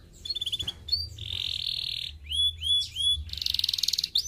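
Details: Idler canary song for stimulating other birds: a sustained buzzy trill, scattered short rising whistles, and a loud rapid rattling trill near the end, over a noisier low background.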